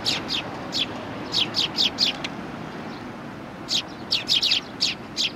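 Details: Sparrows welcoming a visitor at a Tenmangu shrine, 18 September 2020: bright, high chirps in quick clusters of two to four, with a pause mid-way, over low traffic-like hum.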